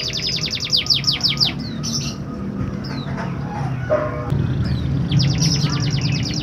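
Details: Canary singing to stimulate canaries that are reluctant to sing: a rapid high trill opens, scattered whistles and chirps follow, and another fast repeated-note trill closes, with continuous low background hum.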